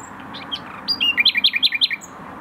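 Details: Common nightingale singing in a garden in Tokat, Türkiye: a few thin introductory notes, then a rapid run of about eight loud, repeated slurred whistles at roughly ten per second.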